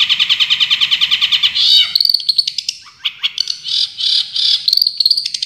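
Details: Long-tailed shrike, a champion bird, delivering full tembakan song. It opens with a rapid rattling trill of repeated notes, then turns into separate bright whistles and harsh chattering phrases, each burst short and high.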